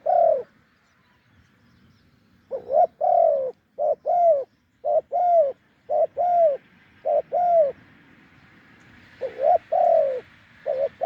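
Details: Wild spotted dove with a deep voice, lured with a decoy on a branch: low mellow coos repeated in quick runs, each a short note followed by a longer, slightly falling one, after a brief pause at the start.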